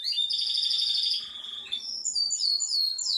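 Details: A Yorkshire canary rolls out a sustained high, buzzy trill, holding steady for over a second, then shifts to very high, slurred descending notes repeated in quick succession.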